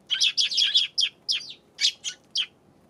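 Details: Eurasian tree sparrow calling on 7 February: a run of short, high, scratchy chirps, several clustered in a quick burst and then spaced singly, with a quiet background.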